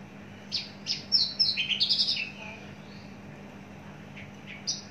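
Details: Caged, long-kept Javan bush lark delivering a quick cluster of sharp, slurred chirps and buzzy notes, then a few scattered high calls, over a steady low hum.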